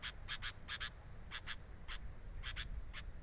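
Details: Sooty-headed bulbul at its nest, filmed with a nest camera: brisk pairs of harsh, buzzy notes, then spaced single notes and a closing pair, with low rumbling noise underneath.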